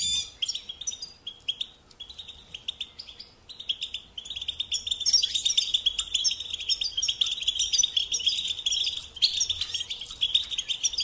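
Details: European goldfinch song for teaching young birds to sing: scratchy twittering at first, then a louder, steady stream of rapid, liquid chirps and trills in the second half.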